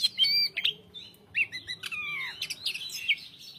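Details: Greater green leafbird in full, steady song with short pauses, delivering a jumbled stream of high chips, buzzy notes and clear whistles that slide downward, phrases following one another almost without a break.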